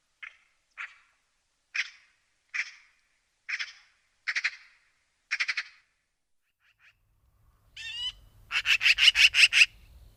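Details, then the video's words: A magpie gives about eight harsh, hoarse chacks spaced roughly a second apart, ending in a fast machine-gun rattle, with a low rumble behind. "Magpie sounds. The sounds that the magpie makes."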